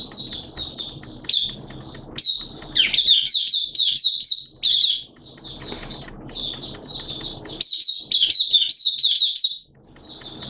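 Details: Oriental white-eye, hobby cage bird, in open song on 11 September 2022 in wet, erratic weather; lively high warbling with quick wavering chirps, roughly two notes per second in places, phrases broken by short pauses.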